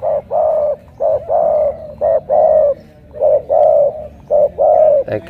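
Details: Spotted dove from Ca Mau, Vietnam, a 'thổ cọp' type, cooing in the morning: rapid three-note phrases, two short hollow notes then a longer one, repeated about once a second.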